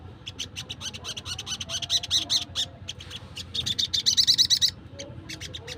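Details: Wild Crimson Sunbird, sound used to lure wild birds: rapid, dense ticking chatter of high notes, building into a quick run of bright, wavering whistled chips, then a few scattered ticks.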